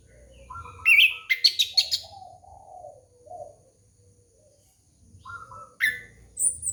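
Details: Orange-headed thrush song used as a lure for young birds: a rich, varied stream of warbled whistles and quick chirps with softer low notes between, then a pause and fresh sharp phrases, over faint low rumble.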